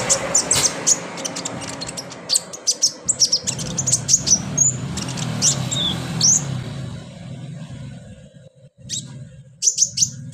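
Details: Kolibri ninja sunbird, in a therapy recording to trigger song, delivers lively high chips and short rising whistles in quick clusters, fading briefly before resuming, with a low rumbling hum beneath.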